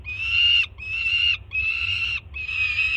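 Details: Loud, grating screams from a young peregrine falcon at a Jersey City nest, greeting its banded first-time mother bringing food on a June morning; four long, raw, even-pitched screams, each close to half a second or more, separated by short pauses.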